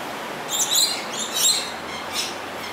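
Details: Coconut lorikeet, introduced and breeding in Singapore, giving loud, arresting shrill screeches, two or three harsh high bursts within three seconds over faint background noise.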